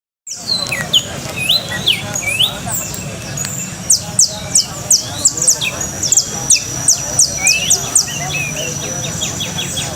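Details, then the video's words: Coastal canary song: rapid high-pitched trills and descending whistled sweeps repeated in bursts, with steady low background hum throughout. "canto de canario costeño"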